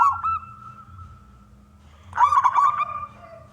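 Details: Male local wild zebra dove, kept to prompt other doves to sing, ends a fading series of coos, then after a pause delivers one loud burst of rolling, bubbly cooing notes.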